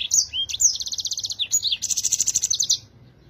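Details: Clear, active song of a yellow-fronted canary, recorded as a master for other birds to learn from: high slurred whistles and a dipping note give way to two fast, ringing trills of rapidly repeated notes.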